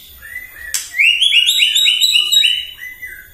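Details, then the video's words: White-rumped shama singing in the morning as bait to provoke other birds: a sharp click, then a fast run of bright, upward-sliding whistled notes in a dense, rolling phrase. "PAGI-PAGI MURAI AUTO EMOSI MENDENGAR PANCINGAN INI❗ GACOR FULL❗❗"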